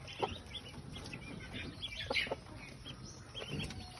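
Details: Pekin ducklings, a second batch of 13 kept alongside 27 native ducklings, give scattered short, high peeps from several birds at once, over a steady rustling background with soft knocks.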